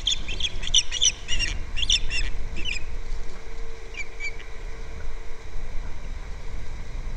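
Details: Osprey at its nest, February 2nd: a burst of sharp, high, repeated chirping calls in quick series over the first three seconds, then a few fainter notes, with steady low rumbling background noise.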